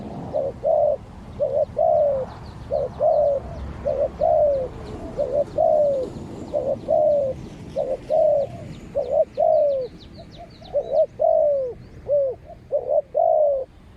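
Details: Spotted doves in a long exchange between a Malaysian-line ground decoy and a fierce wild bird: a continuous run of dozens of coos, short and long notes alternating, some falling in pitch, faint high ticks in the background.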